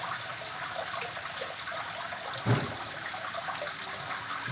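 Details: Steady splashing and trickling water with one brief louder thud midway and no animal calls heard.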